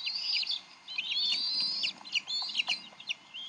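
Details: Wild bald eagles, Decorah nest, 30 May 2012, the male and female contesting a fish before the eaglet is fed. Sharp high whistles fall away in stuttering chirps, with several short bursts that end in quiet gaps.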